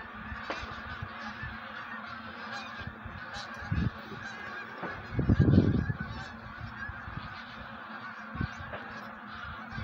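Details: Wild geese getting ready to migrate call en masse in a steady honking chorus, interrupted midway by a loud low blast and a few sharp knocks.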